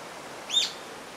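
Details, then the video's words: A rufous-tailed jacamar gives one thin, high, sharp note that quickly rises and falls, over a soft background hiss. "Rufous tailed Jacamar"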